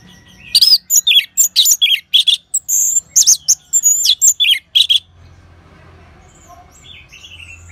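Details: Orange-headed thrush song used as a training sound to prompt other birds to sing, recorded in northern Bali: rapid bursts of high, slurred whistles and sharp chirps in a dense phrase lasting about five seconds, then quiet with a low hum.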